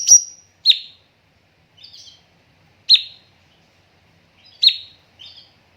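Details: Cucak cungkok master song for training birds, with pauses and dense tembakan bursts: sharp downslurred notes, some preceded by a high whistle, recur every second or two with short softer twitters between.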